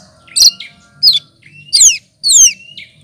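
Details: Mimicking lesser green leafbird (cucak kinoy) gives four loud phrases of steeply falling, squeaky whistled slurs about half a second apart, over a low steady hum.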